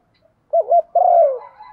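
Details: Female spotted dove urging a male on, a lure call: single phrase of two short wavering low notes followed by a longer coo that slides downward and trails off.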